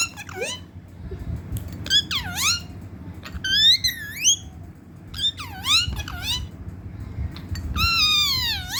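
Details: Angry pet parrot indoors, giving loud squawking calls with swooping rising and falling harmonic sweeps, several short bursts then a long harsh rasp at the end, over a low room rumble.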